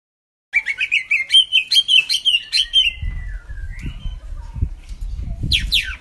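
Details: Cucak ijo mini song used as a lure to get a silent bird singing: a rapid chattering run of sharp high notes over a wavering whistled line, about five per second, then low rumbling background noise.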